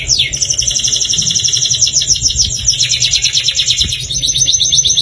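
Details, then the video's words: Caged-canary trigger song from an Atlantic canary: one unbroken run of rapid, even, high trilled notes with slight shifts in pitch, steady low hum underneath. "KICAU SUARA KENARI GACOR AMPUH BIKIN KENARI IKUT GACOR"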